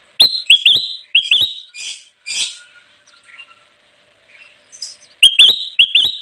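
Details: Kutilang emas, the Ruby-throated bulbul, in lively song for luring wild birds: quick series of sharp, upward-hooked whistled notes, then softer buzzy chatter and a quiet gap before the hooked whistles return.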